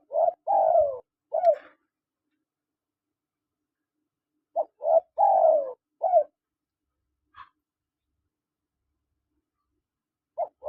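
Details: Spotted doves, male and female calling: low, hollow cooing phrases of three to four notes with a longer drawn middle coo, repeated in bursts about every four to five seconds, with a brief higher chirp between and quiet gaps.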